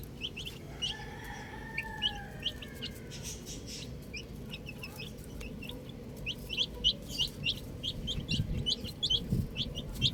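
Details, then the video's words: Baby chicks outside with frequent high peeping that grows denser toward the end, plus a couple of lower, longer calls early on and low rumbling noise. "Cute Baby Chicks Chirping Sounds"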